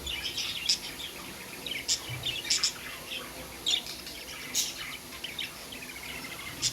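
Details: Pet budgies chatter with bright, thin tweets and clicks, scattered irregularly, with a few louder sharp chips standing out from a steady low hiss.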